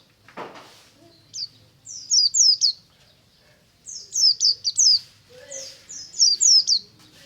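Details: In the morning a white-eye sings ngalas: a brief low thump, then clustered runs of rapid, high, downslurred chirps in groups of three to five, repeated every couple of seconds.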